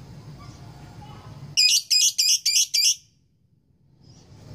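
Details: Lovebird, a female courting a male, in the long chattering 'ngekek panjang' style: a loud burst of five harsh, buzzy high notes in rapid succession over about one and a half seconds, then silence, with a low hum behind.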